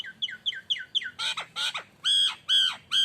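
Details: Nias hill myna, kept bird, lure song: a run of short clipped two-part whistles, then harsh buzzy squawks, then three long loud ringing notes with rich overtones, each dipping at the end.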